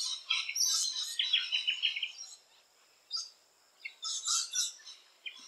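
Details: Nesting rainbow lorikeets producing a fast, grating chatter run for about two seconds, then a pause and more short, harsh screeches.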